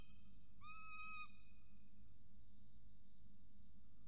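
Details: Peregrine falcon chick and mother at a nest in Orange, Australia, on a falcon nest camera: one drawn-out, whining, harmonic call lasting about half a second, then steady electrical hum and low rumble.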